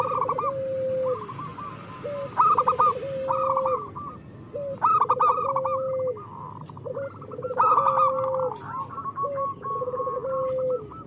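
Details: Local zebra doves, a recording used to prompt lazy birds to sing: overlapping rolling cooing phrases, each a quick stutter of notes ending in a longer drawn-out lower coo, repeated by several birds at once.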